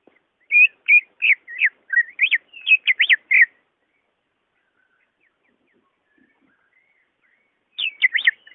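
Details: Greater green leafbird singing, played to coax a reluctant caged bird into song: a three-second series of loud, sweeping whistled notes, a long pause, then another brief burst.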